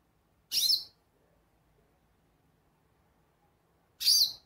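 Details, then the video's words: Goldfinch giving two loud, high, squeaky chirps about three and a half seconds apart, with near silence between them. "Pintassilgo chamando"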